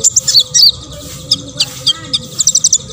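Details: Olive-backed sunbird, a lively singer played to provoke other sunbirds into singing: high, thin chirps and short sharp notes scattered across three seconds, with a faint low hum beneath.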